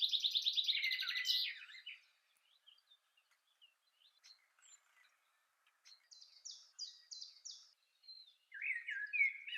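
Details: Male common chaffinch singing, a song of three characteristic parts that begins in mid-February: a bright, rapid trill tumbling down the scale, softer chirps, then high repeated notes and a lower closing flourish.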